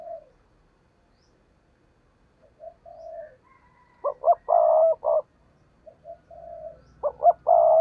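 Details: Spotted dove kept as a trapping lure to attract wild doves. Soft, quiet coos give way to two loud, emphatic phrases of clipped notes ending in a long, deep coo.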